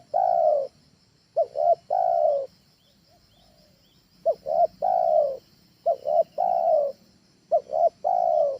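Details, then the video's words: Trained spotted dove used as a home lure: rapid run of phrases, each two short coos and a long wavering coo, about one a second, over a low rumble and faint high hum. "SUARA TEKUKUR AJARAN, SANGAT COCOK UNTUK PANCINGAN DI RUMAH"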